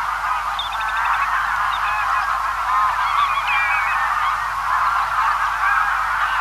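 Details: Greylag Goose flock feeding far off, many birds honking at once in a rolling, nasal chorus; early on a quick run of high, repeated chirps, likely swallows or a White Wagtail, cuts through.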